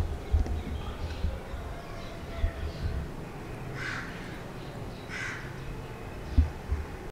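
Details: Green ringneck (rose-ringed) parakeet walking about in a happy mood; two harsh, broad screeching calls ring out around the four- and five-second marks over a steady low rumble of background noise.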